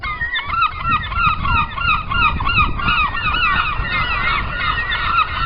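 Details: Gulls at sea calling together in a dense flock, overlapping harsh, nasal, wavering cries repeated quickly and without pause, over a steady low rumble.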